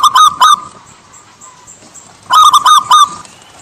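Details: Local Javan zebra dove singing: two short phrases of quick, bright, staccato cooing notes, each run of about four to five notes, separated by nearly two seconds of quiet background hiss.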